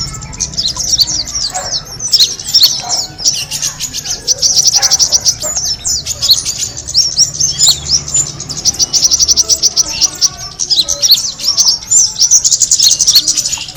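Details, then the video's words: Kemade bird sound used to attract birds: dense, high, thin chirps and quick up-slurred twitters run almost without pause, with soft low rumble beneath. "the sound of the kemade bird attracting noise"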